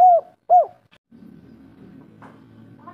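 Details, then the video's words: Local Indonesian spotted dove in kuk 3 style, played as a lure for other doves. Two short arched coos, then a low background rumble, with another coo starting at the end. "Derkuku kuk3 lokal gacor ngamuk suara empuk raja pancingan"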